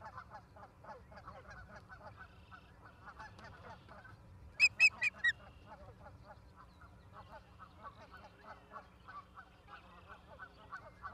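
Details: Ospreys at a nest in Charlo, Montana, on 17 August 2023 at 16:04, captured by a live nest camera. A steady series of short, sharp chirping notes repeats several times a second, broken midway by four louder, ringing high whistles.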